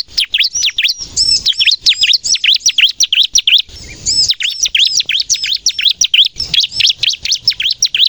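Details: Bar-winged prinia singing in a lively, nonstop 'gacor nembak' style, used to lure birds and coax young captive birds into song: rapid, high, sharp chirps and arched whistled notes tumbling together, briefly pausing near one and four seconds.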